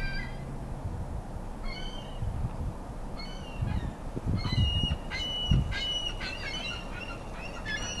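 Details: Ring-billed and Iceland gulls feeding frenzy, birds fighting over food. Scattered short squealing calls early, then a dense run of overlapping cries with clicks and low bumps in the middle, continuing to the end.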